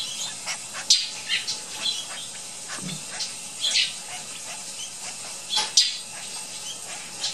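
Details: Young flicker vocalizing with rough, chittering high-pitched bursts scattered irregularly through the recording, some sharper squeals standing out, set against constant background hiss.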